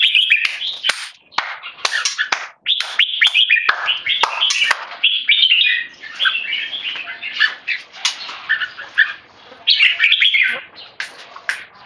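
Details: Tame male red-whiskered bulbul kept Singapore style, calling keke loudly and clearly while disturbed by humans: almost continuous high chatter in choppy bursts, broken by sharp clicking noises.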